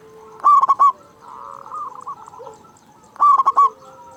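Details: Local zebra dove with a big voice, calling often, used as a lure for caged doves. Two strong pulsed bursts about three seconds apart bracket a stretch of soft trilled cooing.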